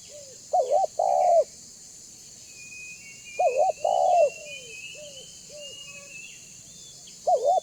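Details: Banggo-type spotted dove (tekukur) calling as a lure for other doves; strong stuttered coo followed by a long hollow coo, repeated about every three seconds, quieter short coos between and thin high bird twitters in background.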